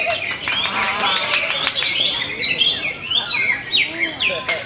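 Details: Prize-winning greater green leafbird delivering a fast, varied high song of twittering chirps, sweeping whistles and crisp clicks, packed continuously with hardly a pause.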